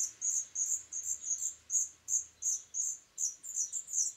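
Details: Black redstart nestlings from the pair's third clutch, raised in a reused swallow nest in summer 2012, giving separate high, sharp chirps in bursts of about three per second.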